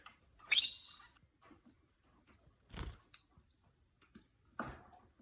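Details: A pet peach-faced lovebird, one of a newly acquired pair, gives one loud, shrill, harsh chirp, then a brief thin high chirp a few seconds later, amid soft knocks and rustles indoors.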